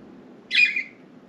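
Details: Pet budgerigars, four birds, indoors, free outside their cage, perching on window blinds and flying about; one single harsh, scratchy chirp lasting about half a second, dropping slightly in pitch at the end, over a quiet room hum.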